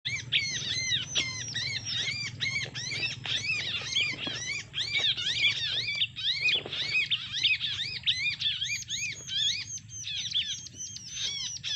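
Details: Bar-winged prinia fighting song used as a lure to attract and trap males; rapid series of high, arched, chirping notes repeated several times per second without pause, bright and insistent, over a low steady hum.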